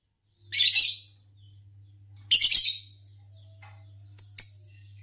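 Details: Green Fischer's lovebird, a kind known in Indonesia for long-duration songs in competitions, making harsh buzzy chirp bursts about every two seconds, followed by two short high sharp clicks, over a constant low hum.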